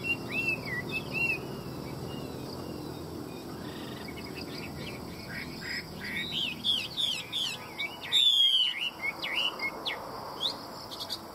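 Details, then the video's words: Chinese hwamei from a Vietnamese bird dealer, praised for its fine voice, sings slurred whistled phrases that grow livelier, with one loud descending sweep near the middle, over a steady low background hum. "Hoa mi hót giọng hay"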